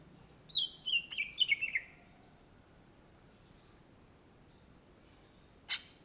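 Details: Greater green leafbird (cucak ijo), an Indonesian native, in gacor singing: a quick burst of descending whistled notes lasting about a second, then quiet, with one sharp note near the end.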